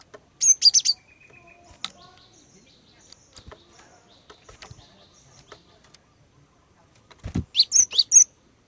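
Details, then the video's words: Chirping female Cinereous tit meant to prompt males to sing: a tight run of piercing high notes opens, quiet ticking follows, then a low thump and another fast burst of chirps closes. "Kicauan Glatik Betina Pikat Gacor, Cepat Bikin Glatik Jantan Ikut Bunyi Gacor"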